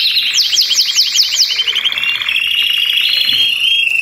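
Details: Chorus of several Belgian canaries: a run of sweeping downward-curved notes opens the clip. Steady, even buzzy trills and a thin whistled tone follow beneath the other singers.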